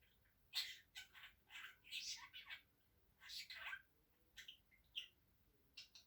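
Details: Pet budgerigar talking, copying Turkish words "annecik", "babacık", "öpücük" and a mother's coughing. Quick, scratchy, voice-like phrases come in uneven clusters, with pauses between them.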